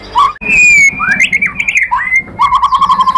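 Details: White-rumped shama (murai batu) lure song to provoke other birds: a long steady whistled note, then twisting rising and falling phrases, ending in a quick low trill of evenly repeated notes.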